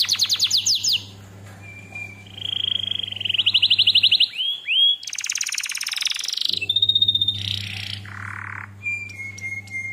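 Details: Canary song used as a lure and tutor track for training birds: fast dry trills, a level whistled note, a rapid buzzy rattle, then swept and nasal phrases, over a steady low hum.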